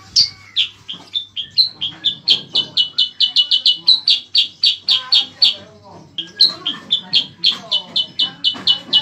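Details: Long, fast burst of high chirping notes from a Bayeman or cicak kurincang, about four per second, with a short pause before resuming; serves as a master song for training contest cage birds, faint low hum behind.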